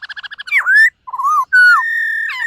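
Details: Caged white-cheeked laughingthrush in morning singing practice: a quick stutter of short notes, a swooping upslurred whistle, a low wavering note, then a long sustained whistle.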